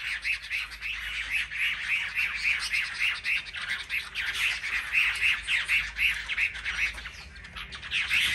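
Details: Chinese hwamei birds at a market singing rack, selected birds in competitive singing; blurred, overlapping strings of short notes repeat rapidly, several voices layered together, with faint background clatter.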